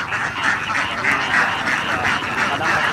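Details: Thousands of ducklings swimming across rice-field water on their way back to the coop after playing in the paddies; a dense, unbroken chorus of overlapping nasal 'wek wek' quacks pulses steadily throughout.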